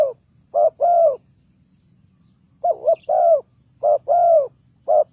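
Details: Spotted dove used as a decoy to lure wild doves into a trap, cooing in soft, low, hooting phrases. Each phrase is a short note and then a longer, swelling note, repeated several times over a faint background hum.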